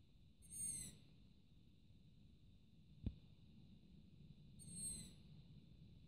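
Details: Long-eared owl young perched on a rooftop, calling for food late at night; two hoarse, high, drawn-out squeaks roughly four seconds apart, with a single sharp click between them.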